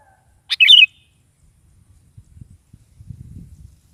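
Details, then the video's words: A sooty-headed bulbul sings one brief, liquid, chattering phrase at morning, the song used to make a caged bulbul respond; faint low rumbling noises follow afterward. "SUARA BURUNG KUTILANG GACOR DI PAGI HARI"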